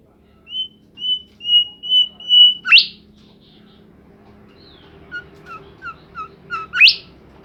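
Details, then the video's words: Bimoli bird in energetic song: six even, level whistles at a steady pace, an abrupt rising sweep, then quiet quick chirps closing with another sharp sweep. "burung Bimoli gacor"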